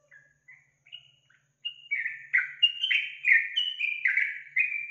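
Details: Yellow-vented bulbul singing on a lure track meant to get a kept bird singing: a few soft, spaced whistles build into a loud, rapid chain of bubbly, slurred phrases, about three per second, rising and falling in pitch.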